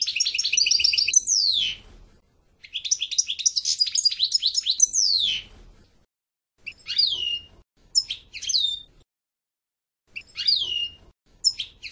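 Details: European goldfinch giving two phrases of fast tinkling twitter, each closing with a downward-sliding whistle, then several short separated chirps with falling slurs.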